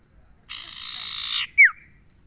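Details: A common iora utters one drawn-out raspy buzz of about a second, then a brief loud whistle sliding steeply downward. A soft steady hum continues underneath.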